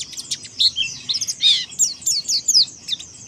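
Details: Monty Oriental white-eye in ngalas song, provoking opponents, with loud rapid high-pitched chirps and a buzzy burst in the middle, delivered in quick uneven pulses.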